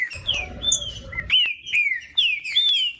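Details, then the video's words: Green-winged saltator, a caged bird kept to be warmed up for singing tournaments, giving loud whistled phrases of slurred notes sliding down from about 4k to 2k, repeated in quick succession with short pauses; faint low rumble early on. "MELHOR VÍDEO PARA ESQUENTAR TRINCA FERRO COM TRINCA FERRO CANTANDO"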